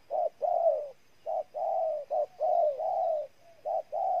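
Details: Vietnamese spotted dove from Ninh Thuận cooing closely. Short clipped notes alternate with longer, mellow, slightly falling coos, run together almost without pause, with one faint soft note between phrases.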